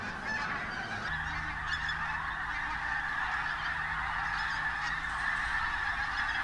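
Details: Many pink-footed geese on the move around Martin Mere WWT Reserve, Lancashire, bright day, October 8th, 2012. Steady, thick clamour of honking from a large flock, with a low hum entering after the first second.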